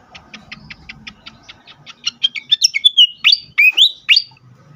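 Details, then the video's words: Agitated fantail, a recording for luring and stimulating other birds: a fast run of short, evenly spaced high chips that breaks into loud sweeping whistled notes, rising and falling, with a faint low hum beneath. "sikatan kipas ngamuk sekali dengar cocok untuk pikat dan rangsangan bunyi burung bahan"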